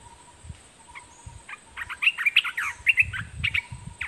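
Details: Decoy Olive-winged Bulbul in a cage, singing at wild birds. Scattered short notes give way to a lively burst of quick, slurred, chirpy phrases. Low rumbling thuds and a steady thin whine are in the background.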